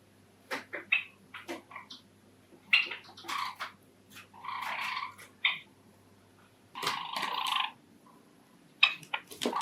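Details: Male cherry Java sparrow giving its courtship song indoors, one of five pet Java sparrows in a household: sharp clicks and chirps mixed with two longer buzzy, rattling phrases, against a low electrical hum.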